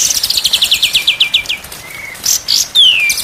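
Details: White-rumped shama song from a day-and-night tutoring recording meant to make birds sing constantly: a run of rapid, evenly spaced descending high notes, then a short flat whistle, bright bursts and a long sweeping downward whistle.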